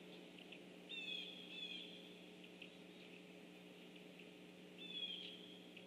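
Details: A Red-bellied Woodpecker on 7 October 2013 gives three short, rolling, slightly burry notes, two close together and one a few seconds later, over a steady low mechanical hum.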